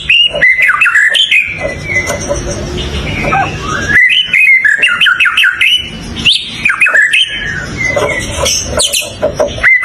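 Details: White-rumped shama song: a rich, varied run of whistles, chirps and squawky notes, delivered in bursts with brief pauses and a rougher, noisier texture throughout.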